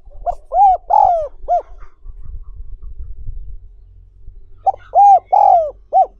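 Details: Spotted dove calls recorded to train wild-caught doves. Two coo phrases of short hoots and a longer sliding note, separated by a stretch of low rumbling handling noise.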